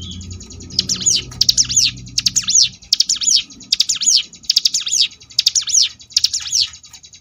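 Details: Ngebrem-style song of a Sunda bush warbler (cigun), used as a training recording for contest birds: high swooping, looping whistled phrases repeated about once a second, eight bursts in a row over a faint buzzy trill.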